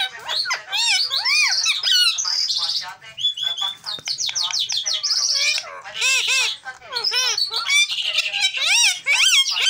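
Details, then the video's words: Pet green parrot, tame, talking without pause: rapid jumbled chatter of clicks, squeaky notes and voice-like arched syllables, with harsh squawks, continuous throughout. "My Green Parrot NonStop Talking"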